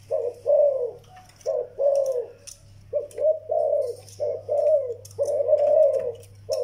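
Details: Cooing of a young zebra dove and an old Vietnamese decoy bird: grouped soft coo notes in irregular bursts, some notes long and wavering, with a steady low hum indoors.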